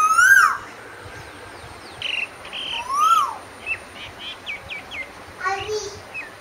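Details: Asian koel's arched whistle sounded twice, while other small birds add quick high chirps and short buzzy notes in the pauses.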